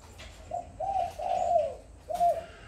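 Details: Tame, red-eyed spotted dove cooing at half past four in the afternoon on 31 July, calling naturally and without pause; a soft, low phrase of three hollow coos, the last drawn out and falling, then another coo begins.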